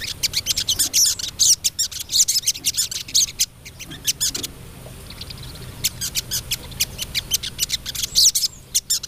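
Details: Female crested jay calling to the male, a harsh, dry, rattling call in rapid bursts of crackling notes, high-pitched and broad, pausing briefly near the middle before resuming, with faint softer chirps in the gap.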